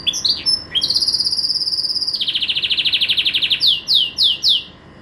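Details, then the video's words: Pet green canary (kenari ijo) kept for its song: a long sustained high whistle, then a fast buzzy rattling trill, ending in rapid sweeping downslurred notes, over a faint room hum. "Kicau Merdu si KENARI Ijo"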